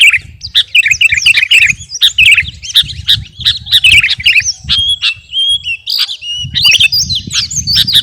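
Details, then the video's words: Sooty-headed bulbul of the kutilang garuda type, kept in a cage, pouring out a chattering training song: bursts of rapid chirps and short whistled phrases with brief gaps, over a steady low background hum. "KUTILANG GARUDA GACOR..!! SIAP TEMPUR KICAUAN"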